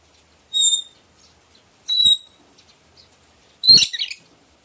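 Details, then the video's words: Red lory calling: two clear, piercing whistled notes about a second apart, each with bright overtones, followed by a harsher, rasping double screech. "RED LORY COCOK BUAT MASTERAN BURUNG YANG MALAS BUNYI"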